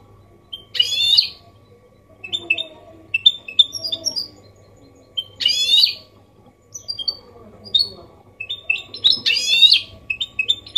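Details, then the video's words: Goldfinch hybrid performing a copia Málaga-style song meant to prompt males to sing and tutor chicks: three harsh, buzzy rasping bursts roughly every four seconds, separated by short high twittered and whistled notes. "Mixto jilguero Limpio canto (copia malaga) Elegante / mule of goldfinch bird singing the best sounds"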